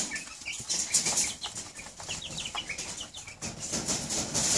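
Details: A flock of hungry two-week-old Cornish Cross chicks rushing their keeper in the morning: frequent brief high peeps, sometimes in quick clusters, mixed with loud wing flapping and scuffling.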